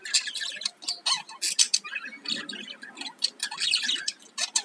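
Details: Budgerigar; chatter; breeding-mood courtship chatter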